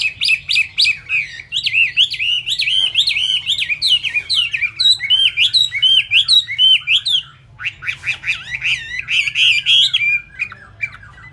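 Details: Chinese hwamei, feathers not yet dry, singing at high speed: a rapid, continuous stream of loud, varied whistled notes and slurred rising and falling phrases, with a brief pause near the end before the torrent resumes.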